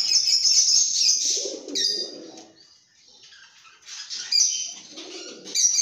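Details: Lovebirds making happy sounds that signal a good mood: loud bursts of shrill, piercing chirps and whistles separated by a quieter pause midway, with some lower murmuring notes between bursts.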